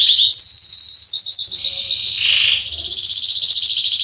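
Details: A male Belgian canary, singing to warm up another canary, pours out continuous high pulsed trills, dipping briefly into a lower buzzy phrase before returning to rapid bright rolls.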